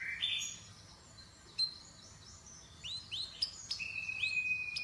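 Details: Canary chirping: a few scattered high whistles and short upward-sweeping notes, mostly quiet with gaps, then a brief run of rising chirps and a long steady high whistle near the end.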